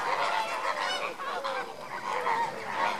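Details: Continuous goose-like honking from a group of lesser flamingos during enrichment, many nasal calls overlapping into a steady chorus with a few slurred upward notes.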